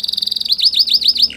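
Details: Spanish Timbrado canary singing: a fast buzzy trill that shifts into a run of rapid rising-then-falling whistled loops, about eight in a row, ending on a lower steady note.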